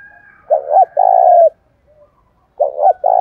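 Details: Spotted dove provoked to fight in the rainy seventh month, a decoy bird with local-style voice: one low coo phrase of a doubled note and a sustained falling coo, a faint soft note, then the next phrase starting.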